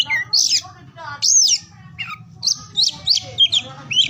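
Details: Oriental magpie-robin singing, a recording meant to prompt mute or lazy birds to sing: loud slurred whistles sweeping up and down, then a rapid series of short bright notes over a steady low background hum.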